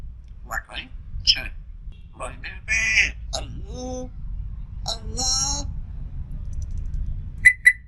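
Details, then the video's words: African grey parrot talking indoors: speech-like phrases with stacked harmonic bands, broken by sharp, high whistled notes and two short bright chirps near the end, over a steady low room hum. "Talking Parrot | Best Talking Parrot | African Grey Parrot"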